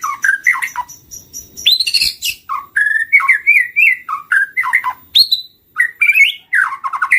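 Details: White-rumped shama song used as a bird lure: a rich, varied stream of whistled phrases, slurred rising and falling notes and quick chatters, delivered almost without pause.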